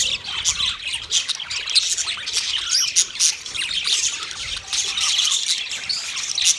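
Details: Thirty pairs of budgies in a colony produce a constant mass of high chirps, squawks and warbled chatter, many birds calling at once with rapid rising and falling notes.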